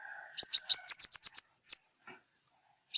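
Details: Southern Vietnamese five-coloured sunbird, used as a lure for glue traps, giving a high, rapid series of thin chips that run into a short twittering phrase, with a faint lower whistle at the start.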